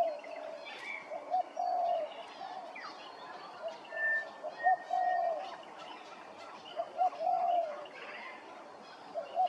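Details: Grey-crowned babbler in Hervey Bay, Queensland: a series of short, mellow, slightly warbled whistled phrases recurring every two to three seconds, with scattered higher chirps and chatter from other birds behind.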